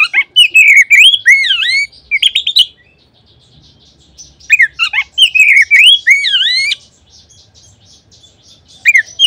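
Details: An Oriental magpie-robin sings in a lure recording used to stimulate other magpie-robins. Energetic phrases of sweeping whistled slurs and rapid chips come in bursts separated by pauses, with little background sound.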